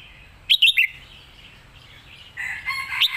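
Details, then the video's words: Red-whiskered bulbul kept as a competition songbird, singing its master song: a quick burst of three bright, bubbly whistled notes, a quiet pause, then a rising warbled phrase at the end. "เพลงแม่บท นกแข่ง#เสียงนกกรงหัวจุก"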